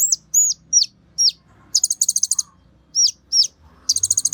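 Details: Energetic Kolibri Ninja sunbird song used to provoke other birds to sing: runs of piercing high notes that sweep down sharply, alternating with fast rattling bursts of rapid clicks, against a quiet low background hum.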